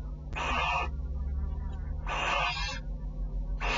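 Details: Barn owl pair at a nest, the male visiting and the female rejecting his attempt to nuzzle, nest camera recording from 6 July 2013, 10:30. Harsh breathy hisses about every second and a half, over constant low hum.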